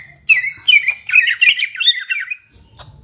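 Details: Greater green leafbird, a young bird, in ngentrok song: a dense, rapid run of chattering, squeaky notes lasting about two seconds, then a single short chirp.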